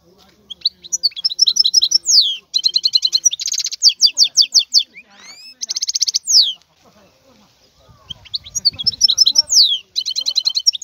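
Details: Wild European goldfinch in full song, delivering rapid bright twitters, rattling buzzy trills and upward-swept whistles at nearly three notes per second, with a faint low rumble late on.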